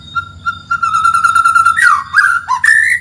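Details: White-rumped shama training song to provoke a neighbouring bird: a long, steady, level whistle with faint pulses, then abrupt bent slurs and a final rising whistle.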